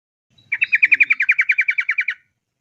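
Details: Sooty-headed bulbul giving a long rapid 'ropel' song, used as a lure to get other bulbuls singing: one fast trill of about fourteen sharp, evenly spaced notes over about one and a half seconds, with no other sound.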